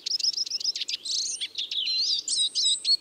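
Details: A quick series of high repeated chirps from a Eurasian siskin runs into a scratchy, buzzy twitter with thin whistled notes.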